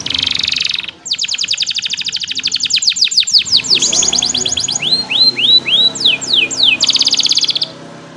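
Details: Loud canary song used as masteran for young birds and to provoke reluctant singers: a buzzy roll, then long trains of quick downward sweeps, slower upslurred notes, and a final rapid trill.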